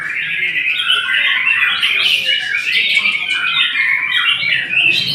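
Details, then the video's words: White-rumped shama singing a loud, continuous run of varied whistled and chattering phrases, rising and falling quickly with no pause. "Murai memang TOP MARGOTOP"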